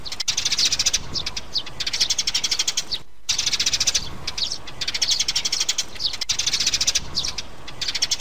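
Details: Sparrows, mother and young, in a lure recording for traps: long trains of fast, high chirps pulsing steadily, a clear silent cut after three seconds, then more rapid chattering bursts.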